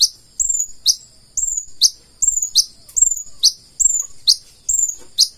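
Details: Purple-throated sunbird singing in the full isian style: a steady pattern of piercing downslurred chips, each followed by a thin sustained whistle, repeated a little more than once per second.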